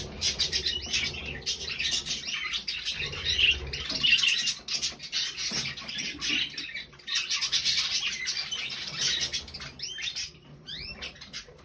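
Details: Three pet budgerigars chattering in a steady dense stream of scratchy, warbling chirps, with a few clear rising whistled notes near the end.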